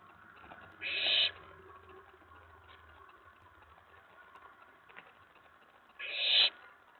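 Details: Owlet inside a nest box at night, May 19, 2017, excited after a mouse delivery; two short, harsh, hissing screeches about five seconds apart over a faint low hum.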